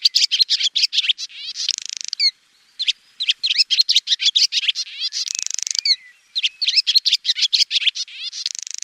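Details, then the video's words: A swallow sings a fast, chattering twitter of high, rapid notes, broken by short buzzy rattles and brief pauses, with no other sounds. "SWALLOW BIRD Sound Effect"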